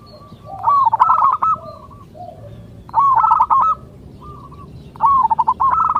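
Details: Zebra dove, a local bird, sings to draw replies from others of its kind. Three loud phrases of clipped, rattling coos end in a rolling trill, with quieter lower cooing in the pauses between them.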